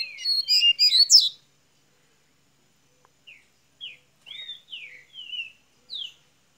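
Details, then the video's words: Double-collared seedeater from Minas Gerais, Brazil, opening its song: a dense burst of high chirps, then a pause and a run of separate thin whistled notes sliding downward, each well spaced. "coleira golinha de minas gerais abrindo canto"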